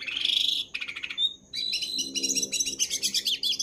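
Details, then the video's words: Gacor Jongkangan song for tutoring caged birds: a loud high whistle, a brief clicking burst, then quick stuttering chirps and jumbled twittering notes. "Burung Jongkangan Gacor dor"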